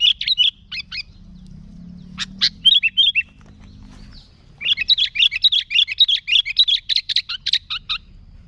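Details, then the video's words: Sooty-headed bulbul song for luring bulbuls: clipped chirps and short phrases, a pause with faint low hum, then a long fast rattling series of bright chattering notes. "Suara Burung Kutilang Gacor ASLI Tanpa isian, Ampuh untuk Pikat Kutilang"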